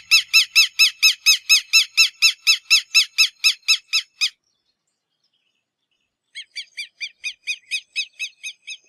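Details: Quero-quero, the Southern Lapwing, giving a loud burst of about eighteen strident, rasping notes in quick regular succession, then a pause of two seconds and a second, softer and more distant run of similar repeated notes.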